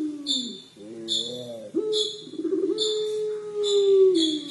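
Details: Puter pelung collared dove crying: a falling low note, a wavering ribbed phrase, then a long level hum lasting about two seconds. Regular high chirps sound behind it.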